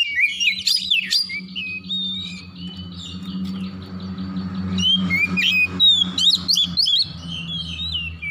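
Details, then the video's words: Oriental magpie-robin calling in the morning, scattered sharp whistled flicks and slurred notes over a fairly loud, continuous low droning background. "PANGGILAN KACER PAGI HARI"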